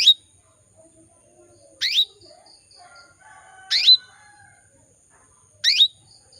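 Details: Calling female canary used to prompt males to sing: four quick, high double chirps sweeping downward, evenly spaced about every two seconds, with faint softer warbling notes between them.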